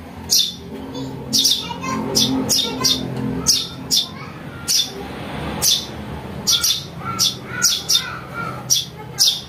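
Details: Lure recording of a house sparrow chick: about twenty high, shrill chirps in irregular bursts and clusters, over a low rumbling background.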